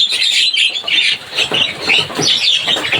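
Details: Javan myna chirping noisily: harsh, grating squawks and chatter in rapid uneven bursts, loud and almost continuous through three seconds.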